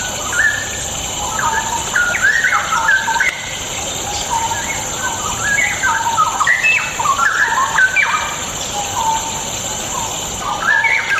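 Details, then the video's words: Extended straw-headed bulbul song used to trigger singing in lazy birds: repeated gushes of rich, gurgling whistled notes jumping in pitch, broken by short pauses, over a faint steady hiss. "100% AMPUH UNTUK PANCINGAN CUCAK ROWO MALAS BUNYI"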